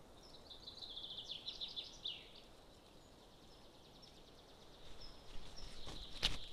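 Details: Golden eagle at a nest in Estonia on June 20, 2022: a faint run of thin, high chipping notes for about a second, then quiet rural background with a few louder sharp clicks near the end.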